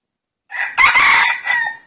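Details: Red junglefowl crow from a decoy bird used to lure wild junglefowl: a harsh, loud crow of about 1.3 seconds in three connected segments, the middle part long and level, ending with a short falling tail; no other sounds.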